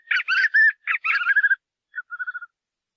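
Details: White-eared puffbird singing a fast, rough, warbling chatter that slides into a short run of pulsed notes, followed after a pause by a brief note and a quick descending trill.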